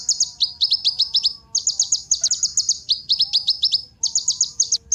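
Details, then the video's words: Kolibri ninja sunbird song meant to spark singing in other birds: repeated phrases of fast, piercing chips, each phrase slightly falling then rising, separated by brief gaps. "Kolibri Ninja Pancingan Penggacor Burung Cocok Buat Isian Segala Burung"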